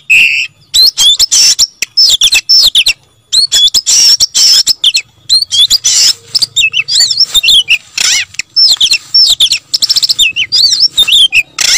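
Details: Oriental magpie-robin pouring out persistent song: a long run of sharp clicks, buzzy chatter and rising and falling whistles, the phrases growing denser and more twisting toward the end.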